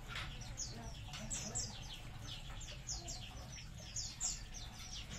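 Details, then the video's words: A colony of munias calls in a continuous stream of high, falling chirps from many birds, uneven in rhythm, over a low rumbling background. "COLONI BURUNG EMPRIT"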